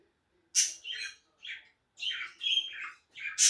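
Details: A pet male budgerigar, bobbing his head on a perch, chatters in quick, scratchy bursts of high warbling notes, broken by brief pauses.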